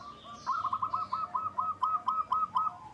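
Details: Local zebra dove calling as a lure for other doves to answer; a fairly soft, steady series of about a dozen rounded, looping coo notes, evenly paced at roughly four per second.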